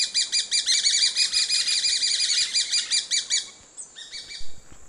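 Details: Grey-breasted parakeet (Pyrrhura griseipectus) giving a long run of rapid, piercing, high chattering notes that fades near the end into a few softer, scattered calls.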